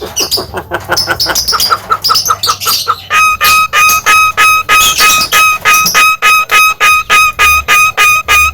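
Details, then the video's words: Javan myna, white-eyed form, singing loudly: grating notes repeated steadily about three times a second, turning into loud, ringing, evenly spaced notes with strong overtones over eight seconds. "burung jalak kebo mata putih gacor losss"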